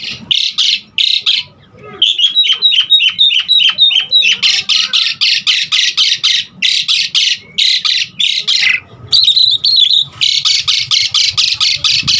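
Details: Asian pied starling in lively song used for luring and training starlings: grating rasps, a quick string of thin clipped whistles, more rapid harsh bursts and a brief wavering whistle before further rasping.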